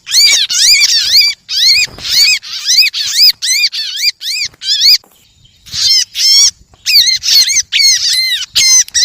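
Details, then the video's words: Bar-winged prinia lure sound for attracting birds: bursts of squeaky, arched, whistled notes that rise and fall, delivered in rapid runs of three to five with short pauses, loud and close, in a quiet background. "suara pikat ciblek"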